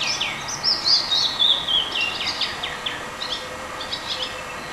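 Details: Birds singing at a racquet club in San Juan Cosala: high, rapid twittering with slurred whistles, then a series of short, dry chips repeated quickly, over faint steady background noise.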